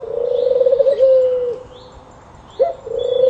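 A dove gives low, hollow coos, first a quick throaty tremolo, then a drawn-out steady note that resumes after a pause. Faint high chirps of other birds sound behind.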